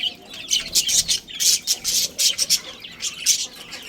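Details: A colony of pet budgerigars that includes a breeding pair: loud, harsh squawking chirps in rapid irregular bursts, several birds calling over one another with brief gaps.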